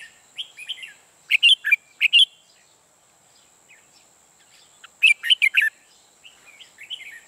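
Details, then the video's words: Red-whiskered bulbul used as a trapping decoy, singing repeated phrases of mellow slurred whistles and loud quick chirps, the main bursts about four seconds apart. "Bẫy chào mào Mồi mới ché ngất người"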